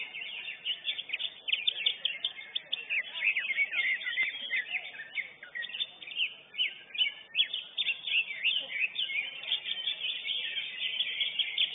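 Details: At a bird singing competition, the first-place lesser green leafbird gives a long, energetic run of piercing chips and tumbling twitters, rising and falling in loudness. Other contest birds overlap.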